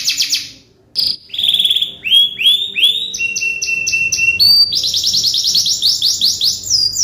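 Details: Canary tutor song for birds that have stopped singing: a short high note, a near-silent pause, then rising slurred whistles in steady series, stepping up into a quick bright trill of repeated notes.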